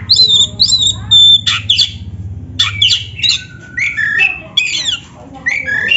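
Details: Caged-bird training song of a black-breasted oriental magpie-robin (kacer): lively sequence of piercing high whistles, grating squawks and rising and falling slurred phrases with short silences, plus faint low hum.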